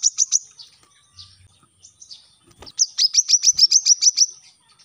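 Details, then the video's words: Brown-throated sunbird song for training captive birds, in scattered high notes and faint fragments, then a tight burst of about ten sharp, rapidly repeated chirps before fading out. "Tembakan rapat | Kolibri kelapa | manggar | wiceh | suara pancingan | masteran untuk burung bahan"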